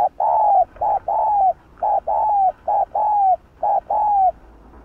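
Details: Cu gáy, the spotted dove, cooing in the hạp bổi style, a full routine of calling, urging and cooing used to stir up kept birds. Paired low coos, a short note then a longer falling one, repeated about every second.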